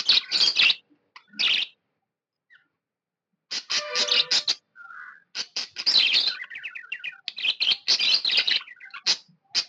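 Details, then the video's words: Cheerful pet budgie: loud scratchy chirp bursts, a silent pause of about two seconds, then long dense chattering with a rolling, gurgled warble and sharp high chirps. "Happy budgie chirping sound"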